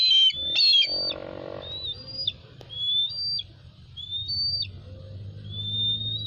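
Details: Golden eagles calling: thin, clear whistled notes, some sliding upward, repeated at irregular intervals, with a brief rustling burst near the start and a low background rumble.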